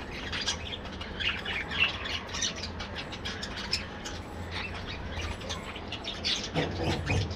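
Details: Budgerigars in an aviary colony: many birds chattering at once, a dense overlapping mix of short squawks, chirps and warbled notes over a steady low background rumble.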